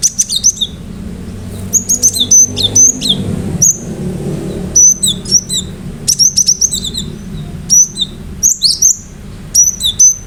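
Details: Gelatik batu, or cinereous tit, singing vigorously to trigger other birds: repeated short clusters of shrill, high whistled notes scattered over about ten seconds, separated by gaps, with a low room rumble underneath.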